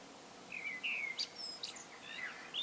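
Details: Solo song of a common blackbird: fluting, slurred whistles that dip and rise, followed by thin, high twittering notes and a brief scratchy ending.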